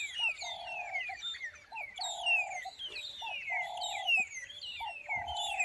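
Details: Several magpie shrikes on a warm sunny morning in the African bush give a busy chorus of clear, high, downslurred overlapping whistles, with lower steady hooting from Cape turtle dove and emerald-spotted dove underneath.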